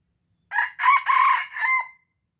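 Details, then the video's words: Aceh red junglefowl, recorded as a lure call, gives one rasping four-part crow lasting about one and a half seconds. The two middle parts are longest and loudest, and the last note trails downward. Quiet otherwise. "Ayam Hutan Aceh * Pikat Hebat Ori"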